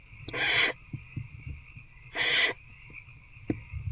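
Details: Barn owl adult feeding an older owlet in a nest box at night in February. Two loud hissing screeches near a second and a half apart, with soft scuffling knocks and faint clicks between them over a constant background hum.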